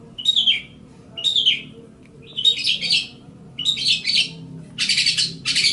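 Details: Cendet (long-tailed shrike) song for training songbirds: harsh, descending chatter phrases about once a second, ending in dense, broadband buzzy bursts.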